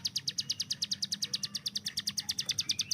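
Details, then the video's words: Hill prinia master bird, kept by its owner, in quick 'tembakan' song. Bright, high, clipped notes come in rapid even succession, with faint thin whistles from other birds in the background. "CIBLEK GUNUNG || Melatih Speed dan Tembak Burung Gacoan"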